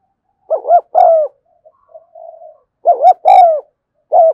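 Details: Spotted dove recorded in the afternoon, giving a continuous cooing series: paired, mellow, mid-pitched coos followed by a softer, drawn-out murmur, then the paired coos again, in a quiet setting.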